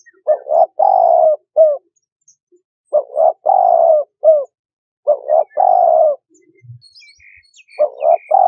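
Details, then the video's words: Spotted dove cooing: low, mellow phrases of two short notes, one long drawn coo and a clipped final note, repeated about every two and a half seconds in a quiet setting. "Tiếng Chim Cu Gáy"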